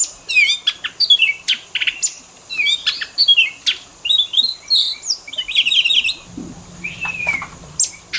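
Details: Oriental magpie-robin in a lure recording of fill-in song for pet-bird mimicry training. Fast trills and sharp high chips, a run of slurred whistles, then a lone descending whistle with a low hum beneath.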